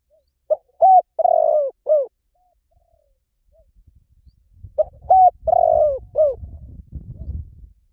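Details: Spotted dove giving two four-note cooing phrases about four seconds apart. A low rumbling background noise rises under the second phrase.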